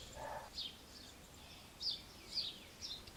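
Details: Nestling Eurasian wrynecks being fed termites, ants and insects by adults in Alzira, Valencia, Spain, in May: a few high, buzzy, slurred notes at irregular intervals over a quiet background, with one lower blurred note near the start.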